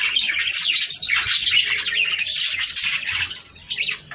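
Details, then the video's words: A group of budgerigars in busy chatter, the sound used to prompt breeding; rapid, squeaky twittering and buzzy notes pour out continuously, easing off briefly near the end before resuming. "صوت طيور البادجي ــ تحفيز للتزاوج"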